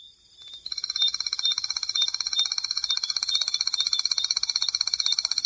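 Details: After a brief quiet start, a Striped Crake launches into its long, dry, high-pitched trill, a steady stream of quick, sharp clicks that keeps going to the end.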